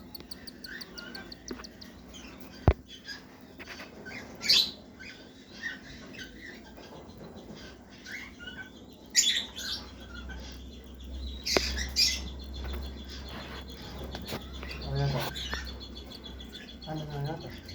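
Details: Cockatiel; begging call; chicks begging to be fed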